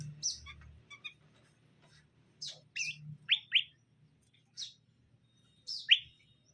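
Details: Greater green leafbirds, male and female, being paired so they get along quickly; scattered sharp high chirps and short buzzy notes come in separate bursts with quiet gaps between them, over a faint low hum.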